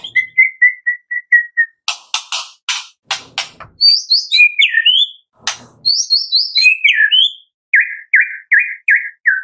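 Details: White-rumped shama tembakan song recorded in the afternoon as a lure to make another shama sing: a steady row of short whistles, then loud harsh rasping bursts, then high slurred whistles and a repeated series of buzzy notes.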